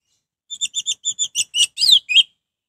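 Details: Orange-headed thrush song used to stir rival thrushes into singing: a run of evenly spaced short clear whistles that speeds up into louder, scratchy, descending slurred notes, ending on one warbled phrase.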